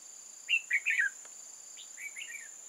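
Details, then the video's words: Red-whiskered bulbul from old-growth forest, used as a decoy in a trap on 8 October 2018 to lure wild bulbuls, gives short bright warbled phrases in two bursts, with a steady high whine running throughout. "Bẫy chào mào Rừng già chơi lăng xăng"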